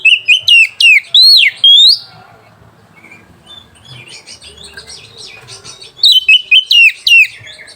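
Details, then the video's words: Song of a white-rumped shama, played to make rival birds respond and arouse breeding: a quick run of loud whistled and chirping notes, a quieter gap with soft twittering, then another rapid burst of looping whistles. "PANCINGAN SUARA KACER PEMBANGKIT BIRAHI DAN EMOSI LAWAN"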